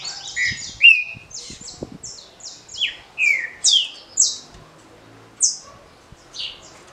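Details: Green-winged saltator kept for song competition, singing the short smooth Paraná style: series of high, clipped, falling notes repeated roughly every half second, with a few lower slurred whistles early on.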